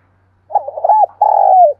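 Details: Spotted dove cooing with a low, soft bubbling series of notes, then one longer purring coo that slides slightly downward; quiet background.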